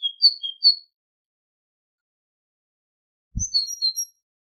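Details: A tit sings a few high alternating two-pitch notes, falls silent for over two seconds, then gives a second short phrase with a faint low thump. Part of a song tape made for tutoring goldfinches.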